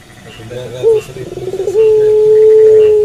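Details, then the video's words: A Barbary dove of the puter pelung type calls in the night. A soft burbling, rolling sequence runs into one long, even, steady coo held to the end. "Puter Pelung Gacor Manggung Malam Hari"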